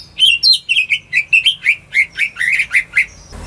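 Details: Greater green leafbird kept at home, singing to coax non-singing birds: rapid, varied whistled phrases of sliding, chirpy notes in quick succession, ending with a brief rustle.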